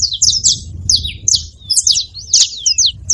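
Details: Saffron finch giving harsh, high chirps with sliding, buzzy notes in irregular clusters, set against a noticeable low rumble.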